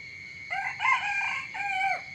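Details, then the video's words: Morning rooster crow, a strident multi-part call of about 1.5 seconds with a rising start, a loud middle and a drawn-out falling final note, with a constant high-pitched whine in the background. "เสียงไก่ขันตอนเช้า เสียงไก่ขันฟังต่อเนื่อง"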